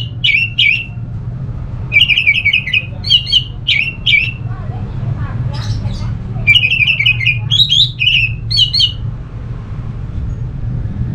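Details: Orange-headed thrush song played to make other thrushes sing: short clusters of warbled whistles in quick groups, a brief break with faint murmuring, then more clusters, all over a constant low hum.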